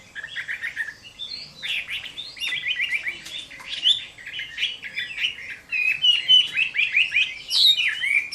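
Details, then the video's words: Chinese hwamei singing its fighting song at summer midday, a quick chain of short slurred whistles and warbles, getting louder and brighter toward the end. "HỌA MI CHIẾN HÓT TRƯA HÈ"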